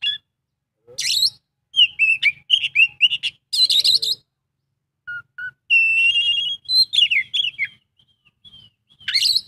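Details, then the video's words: Song of an Oriental magpie-robin: scattered bursts of scratchy notes, sweet descending whistles, a few isolated pure tones and a long warbled flourish, with pauses between phrases. "kacer isian full"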